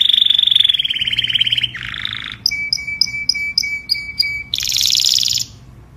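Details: Canary singing, described as a flock-calling song, in quick changing phrases: a buzzy trill, then a rapid run of bright repeated notes over a steady whistle, ending in a harsh rolling trill.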